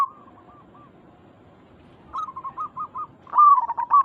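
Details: Local zebra doves, a lure recording meant to make other zebra doves respond: faint hooked coos fade out, then a louder set of five short notes and a ringing, wavering coo.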